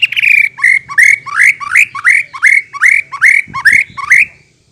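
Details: White-rumped shama song played to lure other birds into answering: about nine similar phrases, each a slurred rising whistle with a rough edge, repeated roughly every half second over low background rumble.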